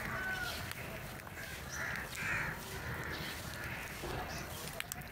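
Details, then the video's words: Crows drawn to food in the morning, with several crows gathering to feed; two rough, hoarse caws come close together in the middle, with fainter calls after them, over steady outdoor background noise. "crow call to attract crow | Real crow sound"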